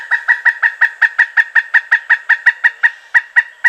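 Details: Pileated woodpecker calling a rapid, even series of loud kuk notes, about four to five each second, steady in pitch throughout.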